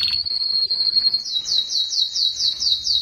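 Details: Young canary singing in a recording meant for tutoring groups of young canaries to sing sooner. A steady high whistled note gives way to a quick wavering trill of repeated rising-falling notes.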